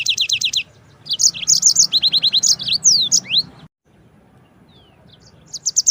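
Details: Yellow-fronted canary singing a long roll suited as master song for canaries and shamas: quick bursts of repeated high chirps, downslurred whistles and buzzy notes, about four notes per second, then silence before another trill begins.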